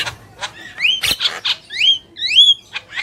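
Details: Pair of Javan mynas, male and female, giving clear upslurred whistles mixed with short harsh bursts and a sharp click-like note, roughly one phrase every half second.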